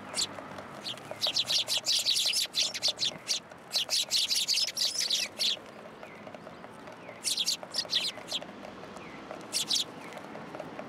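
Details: Eurasian tree sparrows, a group coming to take food from the top of a pillar at a Tenmangu shrine in Japan, 27 December 2022, chirping in dense rapid bursts of short high notes with pauses between flurries.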